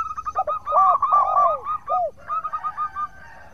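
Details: Local zebra dove singing actively, a recording meant as a lure to make rival doves answer; rapid run of mellow rolling coo notes with deeper downward-sweeping notes, a short pause, then a softer trill of quick repeated notes.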